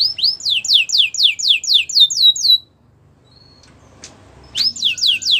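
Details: White canary singing a fast, regular tour of rising sweeping notes, about four per second, that stops for a quiet pause with faint clicks and then starts again.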